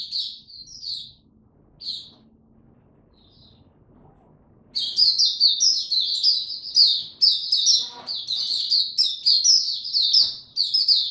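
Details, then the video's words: White-eye on a warm, very humid day, 26 March 2022: a few scattered high chirps, nearly four seconds of quiet, then an outburst of loud, fast, high twittering song lasting to the end. "Mata Puteh Hercules buka sing warm n very humid weather"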